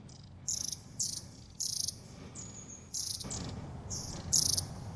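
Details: Long-tailed tit in January in nature at the Zvenigorod Biological Station, Moscow Oblast: short buzzy high bursts repeated roughly every half second, with one thin level whistle, over steady low background noise.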